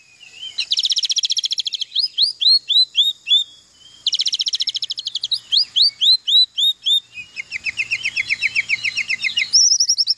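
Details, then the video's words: Oriental magpie-robin delivering a song filled with canary imitations: fast dense trills followed by repeated upswept whistles, the pattern given twice, then a long, rattling canary-like roll and a final high trill. "KACER FULL ISIAN KENARI"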